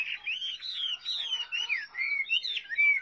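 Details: Continuous melodious whistling from a Chinese hwamei, long sliding notes rising and falling, with smooth swoops linked into an unbroken flowing phrase.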